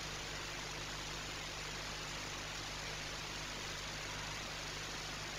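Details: Broad, even hiss with a low engine hum runs throughout, and no animal can be heard.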